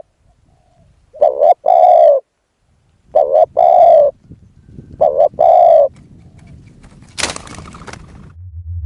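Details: Spotted dove calling to lure a wild dove with a decoy, giving three evenly spaced hoarse phrases of a doubled note plus a long coo. A sharp clattering noise and a low hum follow near the end.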